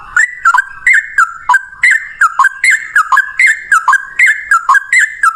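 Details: Yellow-vented bulbul giving a long, rapid fighting song used as a lure for other bulbuls: a steady run of clipped whistled notes that jump up and drop back, each opening with a sharp click.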